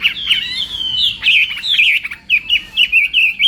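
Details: Chinese hwamei in morning voice-training song, singing in contest style: a fast run of loud, slurred whistled notes, some rising and some falling, quickening into short looping phrases near the end.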